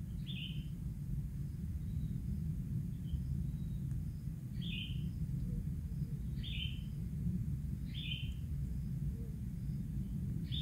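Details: Very young kingfisher chick, still bare-skinned, begging as a parent feeds it fish until it is full; short harsh downslurred calls repeat every one to two seconds over a steady low rumble.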